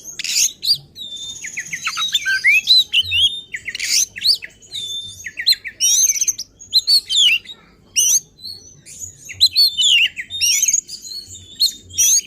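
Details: Oriental magpie-robin (kacer) singing excitedly to goad other magpie-robins, a rapid string of high whistles, buzzy trills and rasping bursts with short silent breaks.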